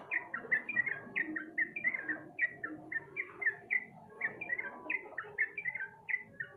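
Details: Sooty-headed bulbul lure recording meant to spur a reluctant bird into singing: a busy stream of short, bright chirping notes, each slurring downward, repeated several times per second with little pause, over a faint low murmur.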